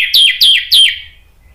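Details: Orange-headed thrush lure song (pancingan) for coaxing other thrushes into singing: three identical clear whistles in quick succession, each held briefly then slurring sharply downward, the last trailing away.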